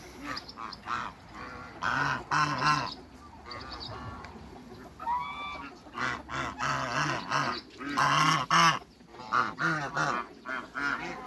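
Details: African geese on a farm, mingling with other waterbirds, give a dense run of loud, nasal, harmonic honks in overlapping bursts, some rising at the end, with brief lulls between outbursts.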